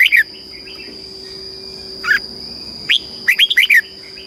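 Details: Caged red-whiskered bulbul in Thailand with southern master-style song for teaching young birds. Isolated sharp notes, then a quick run of five chirpy whistled notes near the end, set against a persistent high hum.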